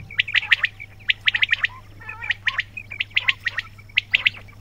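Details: Dense quail chatter of crisp high chirps, often doubled or tripled, with a brief rattling burst midway, coming roughly every fraction of a second against a faint steady hum.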